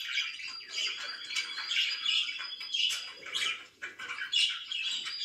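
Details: High, squawky chirps and warbled chatter from pet budgerigars in the morning, steady and overlapping, with a short lull near the end.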